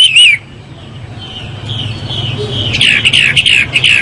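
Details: A Chinese hwamei (Garrulax canorus) in morning song gives loud, clear whistled phrases, with a run of rapid slurred notes repeated about three times a second near the end, over a low hum.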